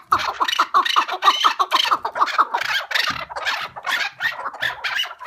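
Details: Partridge uttering a quick run of short clucking chuk notes that speed up and then give way to louder, rasping bursts, about two per second.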